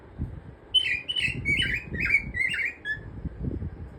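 A cockatiel sings a quick run of bright, slurred whistles, several notes swooping downward in a row.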